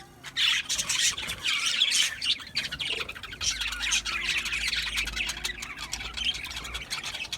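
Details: Budgie parrots keep up a busy, warbling chatter of scratchy chirps and trills, with a faint low hum underneath.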